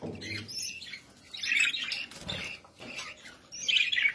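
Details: Pet budgerigars giving a few rough, squawky chirps in clustered bursts separated by quieter pauses, with a louder scratchy burst at the end.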